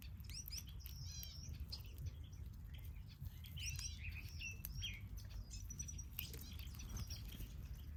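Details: Finches kept in an aviary give overlapping high chirps and short rising twitters, several callers at once, over steady low background noise and occasional wingbeats or taps.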